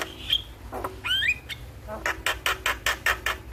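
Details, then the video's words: Morning song of a jalak kebo (buffalo starling) meant for training birds; a high whistle, a sliding two-part whistle rising and falling, then a fast series of harsh repeated clicks. "Pancingan Dan Masteran Burung jalak Di Pagi Hari Bikin Cepat gacor Manggut - Manggut"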